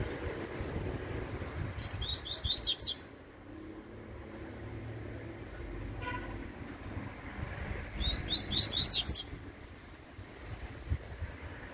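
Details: Young Double-collared Seedeater singing in the tui tui style: two short bursts of rapid, high, sharp chirped notes about six seconds apart, over a low background hum and faint vehicle rumble.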